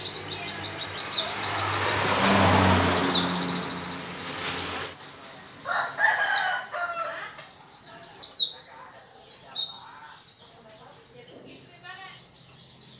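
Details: A singing white-eye, played to get other white-eyes to sing: the first half is masked by a broad rushing noise, after which clear high, rapid twittering phrases of descending notes follow in short bursts.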